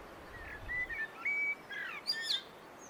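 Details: Common blackbird song: several smooth, level fluty whistles in a short sequence, closed by a thin, high scratchy twitter, over steady outdoor hiss.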